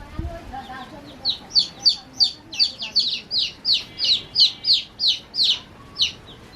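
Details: A soft thump, then after a second of quiet, young chicks at play begin shrill descending peeps, near three per second, growing louder and more crowded before thinning out at the end.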